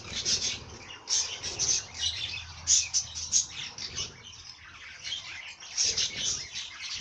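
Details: High-pitched twittering bird song in loud bursts, with sharp piercing peaks between softer chattering passages and a faint low hum early on.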